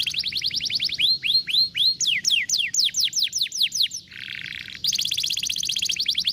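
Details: Canary singing in the 'vara de pescar' style, meant to stimulate a lazy canary to sing: rapid trills of repeated curved, sliding whistles, then slower drooping notes, a short harsh buzzy roll, and a fast bright chattering tour at the end.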